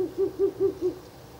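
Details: Four evenly spaced, low, soft hoots from a Ural owl near its nest box on the night of 16 April 2024, during the third night of visits. The hoots fade into quiet.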